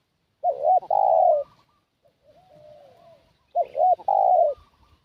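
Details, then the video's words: Decoy spotted dove luring wild doves: two loud cooing phrases, each two quick bent notes joined to a long drawn-out coo, with a soft, faint slurred coo between them. "Suara Pikat Burung Tekukur"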